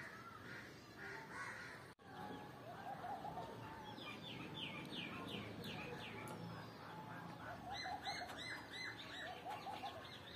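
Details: Female grey francolin calling, recorded 29 November 2022: a short series of sharp, descending chirps repeated rapidly in two bursts, with other bird calls and a noisy background.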